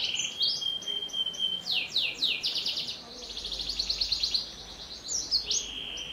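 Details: Canary song meant to coax young birds into singing: a thin steady whistle, bursts of rapid downward sweeps, a long buzzy high trill and sharp rising notes.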